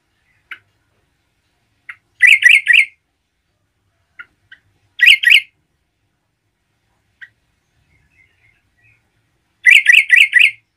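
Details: A yellow-vented bulbul in full song, used to provoke other bulbuls, gives short bubbly phrases of three to four rich, mid-pitched notes, repeated every few seconds between single soft chirps.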